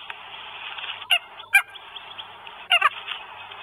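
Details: Northern goshawk in Estonia on 1 May 2022, with food: two pairs of short, rasping, honk-like calls, the second pair doubled quickly, over a continuous band of hiss.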